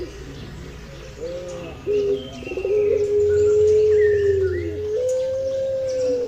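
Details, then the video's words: Eurasian collared dove (pelung puter) in a tutor recording gives low, mellow coos, then one long, steady drawn-out note followed by a slightly higher sustained note, with faint chirps from other birds behind it. "Burung pelung puter suara masteran"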